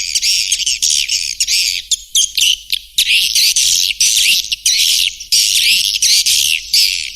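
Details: Swiftlet lure call to attract birds: loud, harsh, buzzy twittering bursts of about half a second each, separated by short gaps, with thin high whistled notes threaded through.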